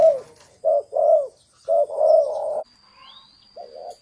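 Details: Thổ sấm cooing of a spotted dove: a few deep, mellow coo notes, one drawn into a longer rolling phrase, then a pause and a final soft pair. A thin rising whistle and a steady high tone sound in the gap.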